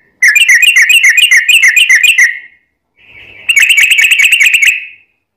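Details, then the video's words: Sooty-headed bulbul delivering long rapid trills to prompt other bulbuls to sing; two extended bursts of fast, evenly repeated bubbly notes, each about two seconds, separated by a short gap, no background noise. "trucukan gacor ROPEL PANJANG buat pancingan trucukan agar bunyi JADIKAN burung trucuk gacor NYAUT"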